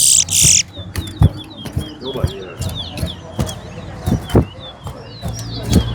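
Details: Chestnut-bellied seed finch (towa towa) singing in a bragging-rights competition, West Coast against West Bank: a rapid run of thin whistled, twittering notes that continues throughout, with dull thumps, a brief noisy burst at the start, and people talking.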